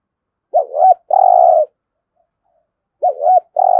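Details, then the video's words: Spotted dove 'thúc gù' coos for training decoy birds: a wobbling two-note opening and a sustained low coo, then the next phrase begins about two seconds later over a silent background. "Tiếng chim cu gáy thúc gù cực đỉnh/ chim cu gáy tập mồi luyện bổi hót theo hàng ngày rất hiệu quả"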